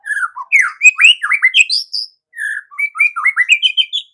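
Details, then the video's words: Song of a white-rumped shama, a lively morning bird: varied whistled and slurred phrases jumping between pitches, a short gap, then more rising and falling notes climbing higher toward the end, loud and clean without other sounds. "MURAI BATU GACOR || MURAI ANDA LANGSUNG EMOSI"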